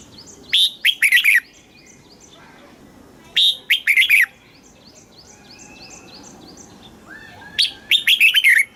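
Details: Southern master-phrase song of a Thai red-whiskered bulbul, used to rouse caged birds and train chicks: three clear warbled phrases spaced about three seconds apart, with faint repeated chips from other birds behind.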